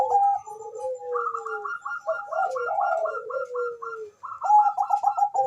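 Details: Fast-calling Bangkok perkutut, the zebra dove, used as a lure: a long train of quick, evenly spaced clipped notes over softer, slowly falling coos, then another burst of rapid trilled notes.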